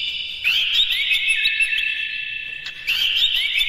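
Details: Oriental magpie-robin song used to goad others into singing; a rich, continuous warble of high whistles and fast trilled notes, restarting after a short break.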